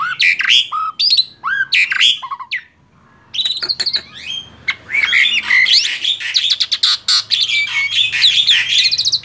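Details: Male Black-winged starling, tame and singing energetically: fast jumbled chatter of whistles, rasping notes and squeaky slurs, broken by one brief pause before a long dense stretch of continuous song.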